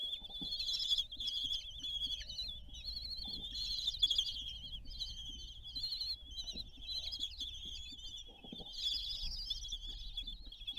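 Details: Common kestrels at mealtime on the Théding nest balcony, France, 20 June 2022: long bouts of shrill, jittery trilling, rising and falling, with faint scraping underneath.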